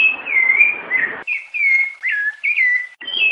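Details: A short stretch of Rufous-bellied thrush song in the "piedade senhor" style: fluted whistles that swoop up then down, strung into a brief phrase of four or five notes after a pause.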